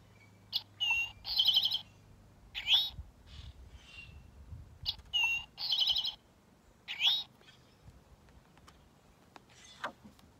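Eastern Towhee singing its 'drink-your-tea' song twice: two sharp notes, then a bright ringing trill, each time followed by an upslurred 'tow-hee' note.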